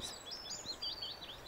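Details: Willow Warbler singing soft, high, sweet slurred notes that drift gradually downward, over faint hiss, in hills and fields of the Cairngorms, Scotland, in spring. It was about 1°C after wind, rain, sleet and snow, and the rain had just eased.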